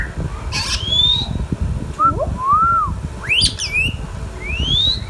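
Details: Pet talking Indian ringneck parrot gives rising drawn-out whistles, a short dipping arched phrase, and a pair of harsh, wavering squawks, then one more long upslurred whistle, over a quiet low hum.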